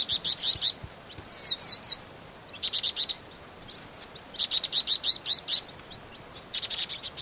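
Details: Vinous-throated parrotbills in Pingtung City, Pingtung County, Taiwan, 16 March 2014: quick bursts of high, dry chip notes in rattling series, broken by short pauses, with one brief twittering phrase in the second burst.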